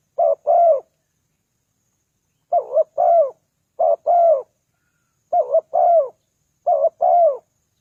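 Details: Lure calling of a spotted dove meant to attract wild doves, five two-part cooing phrases, a brief quavering coo followed by a drawn-out descending coo, with a long pause after the first phrase; otherwise silent.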